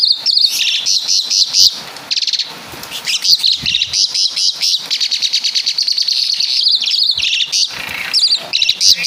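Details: Javan Asian pied starling singing imitated caladi and kapas tembak phrases, with harsh, dense high chattering in long runs of fast pulses and a few short gaps.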